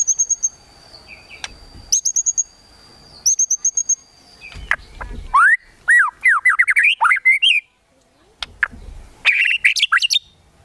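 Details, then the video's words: White-rumped shama singing a kretekan tembakan used to provoke emotion: thin high chips and clicks, then a lively series of slurred rising-and-falling whistles ending in a dense burst of sharp notes. "KRETEKAN TEMBAKAN MURAI BATU MEMANCING EMOSI"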